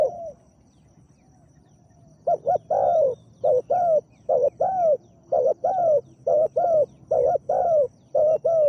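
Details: After a brief quiet start, a spotted dove kept as a decoy to lure a wild dove coos steadily: low doubled hoots each followed by a longer falling note, repeated about seven times.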